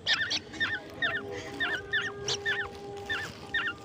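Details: Hand-raised oriole and koel nestlings at a nighttime grasshopper feeding at home; bright down-slurred chirps spaced about every half second, with faint hum and distant music.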